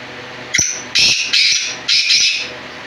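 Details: A black francolin gives its grating call: one sharp short note, then three longer harsh, buzzy syllables in a rhythmic phrase. Quiet hum underneath, with people talking just before and after.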